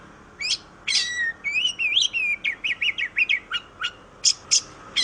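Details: Oriental magpie-robin song recorded to stimulate other birds: clear sweeping whistles and a wavering warble, followed by a run of quick, evenly spaced downslurred notes and a few high sharp chips.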